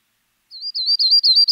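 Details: Yellow-rumped Warbler (Setophaga coronata) primary song: a loose, high-pitched warbled trill of quick sweet notes, slightly wavering in pitch and lasting about a second; nothing else is heard.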